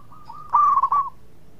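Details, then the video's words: Local zebra dove giving one loud, fluty phrase: a brief run of three or four stuttered coos, preceded and followed by a fainter level trill from another bird. "PERKUTUT LOKAL GACOR SUARA MERDU TUKANG PENGUNDANG BUNYI"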